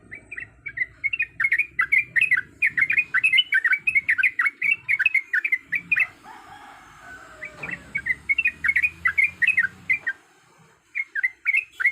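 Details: Calling female sooty-headed bulbul in breeding condition, summoning males: a near-continuous stream of bright chirping notes rising and falling, briefly interrupted by a rustle like wing flaps, with low background rumble.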